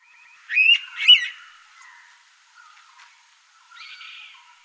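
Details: Indian pitta, a shy undergrowth bird: its distinctive loud, clear two-note whistle, given at dawn and dusk, the notes about half a second apart.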